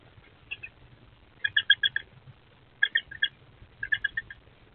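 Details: Two eastern screech owlets in a nest box on 23 April 2024; short bursts of raspy, clustered chirring notes in groups of three to five, separated by brief pauses, faint low hum behind.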